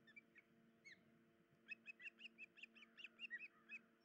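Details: Osprey at the nest, the female hurt in the leg or foot and unable to feed the chicks; scattered short notes, then a quick regular series of bright, high chirps, about five per second, over low hum.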